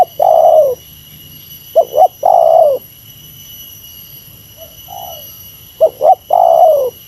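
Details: Spotted dove giving the 'meratus' style lure call used against a rival, which is said to come down from its perch within three seconds. Low cooing phrases of two short notes and a drawn-out falling coo repeat about every two seconds, with a faint coo between them and a steady high electronic whine throughout.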